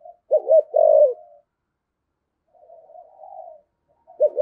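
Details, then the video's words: Spotted dove used as a decoy, urging coo in the 'thổ' voice: a loud doubled note and sustained falling hoot, a pause, soft wavering murmurs, then the next phrase beginning. "Chim Cu Mồi/ cu gáy giọng thổ thúc gù"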